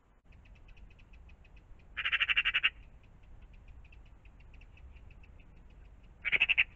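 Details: Magpies by a pond in the morning give two loud, harsh rattling chatters, each a quick burst of about eight grating notes, with faint rapid ticking between them over a low background rumble.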